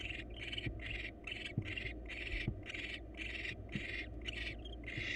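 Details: Wild barn owls in a monitored nest box as the male brings the female a mouse for dinner; harsh, breathy hissing bursts repeat about twice a second over a steady low hum, with occasional soft knocks.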